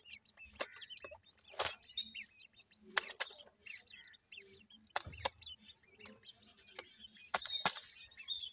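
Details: Grey francolin chicks peeping for their mother; high, fast, scratchy chirps from many young birds, repeatedly cut by loud rustling and tapping bursts.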